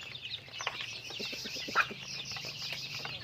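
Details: Brief stretch of chickens going about their day: thin high peeping over a few soft, evenly spaced clucks, with one sharp note standing out.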